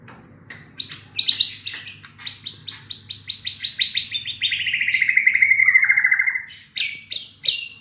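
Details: White-rumped shama singing as a lure to make a silent bird respond: rapid high chips and stuttering notes build into a fast, dense trill that slides lower, then closes with a few loud, sharp whistled phrases. A faint low hum runs underneath.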